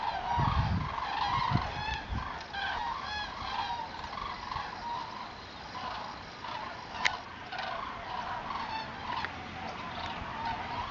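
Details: Migrating flock of common cranes in October 2014, with many rolling trumpeting calls overlapping steadily. Low thumping rumbles come early on, and a sharp click sounds near the middle.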